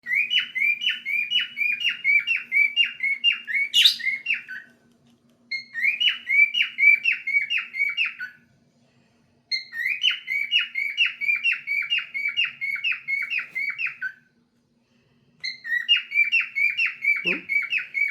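A cockatiel sings bursts of quick, bright chirping notes repeated in rapid runs with short pauses.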